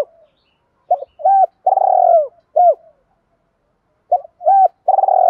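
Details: Decoy spotted dove cooing to lure wild doves: short clipped notes followed by longer, throaty, slightly falling coos, given in two bursts separated by a pause, with a clean, quiet background.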